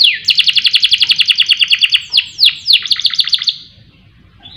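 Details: Canary song used as a lure to make other songbirds sing: fast trill of rapid descending notes near 3–4k, then several slower downward-sweeping whistles, ending in a short pause.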